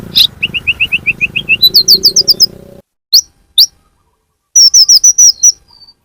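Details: Sunbird calls as a lure for attracting birds. Rapid chain of short whistled notes about two a second, rising into higher chirps. After a pause, a tight burst of high chirping ends in a faint thin whistle.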